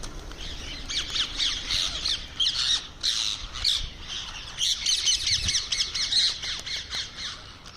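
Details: Indian ringneck parrot making sounds while eating: harsh, grating high squawks and chattering notes in rapid bursts throughout, with brief pauses between clusters and no other clear sounds.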